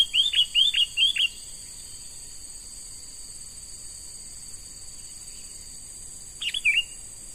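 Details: Young wild-caught sooty-headed bulbul in training as a lure: three fast, bubbly chirps in quick succession, a long pause, then another short chirped phrase. A constant high-pitched insect hum runs underneath.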